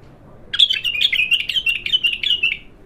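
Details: Bulbul, raw and newly singing, delivers a steady two-second string of quick, scratchy, trilled high notes, repeated rhythmically at a constant pitch, loud and close with little background noise.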